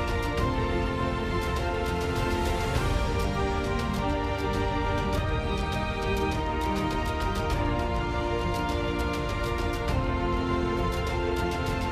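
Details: Steady instrumental music fills the whole stretch, with no animal calls audible.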